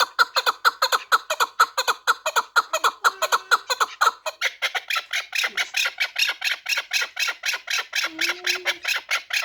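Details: Rhythmic chukar partridge calling from a four-year-old Pamir fighting bird, a long unbroken train of harsh chuk-chuk notes, about two per second, growing fuller and raspier halfway through; brief low hum in the background.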